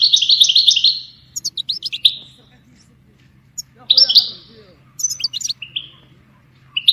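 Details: European goldfinch song for training songbirds: short trilled bursts and scattered chirpy notes with gaps between them, over a faint low hum, plus a brief soft lower-pitched sound in the middle.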